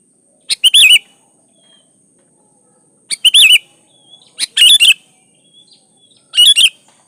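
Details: Sooty-headed bulbul singing loud, short bubbly phrases of several chirped, warbled notes, repeated in bursts every one to two seconds, with a thin steady high tone throughout.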